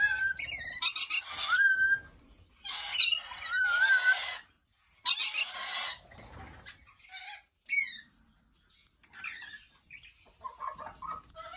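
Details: Aviary lorikeets at early morning give loud grating screeches and short upslurred squeals in clusters that fade into softer, scattered chatter toward the end.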